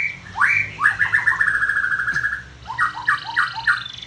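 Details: Captive canary in a simple home breeding setup, singing rolling warbled trills of rapid repeated notes, mid-pitched and steady, in two long phrases separated by a short pause, with faint low background hum.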